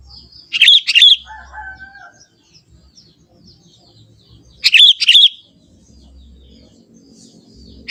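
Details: Young wild Sooty-headed Bulbul in forest, singing unembellished natural song: two lively bubbling phrases of two or three fluty notes, about four seconds apart, with a soft thin whistle and low rumble in quiet gaps.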